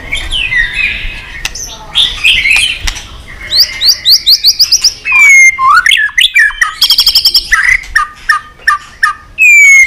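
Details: White-rumped shama in excited, tail-flicking song of many voices: scratchy warbling at first, then rapid series of upswept whistles, a buzzy high rattle-like run, and clear falling whistles spaced out at the close.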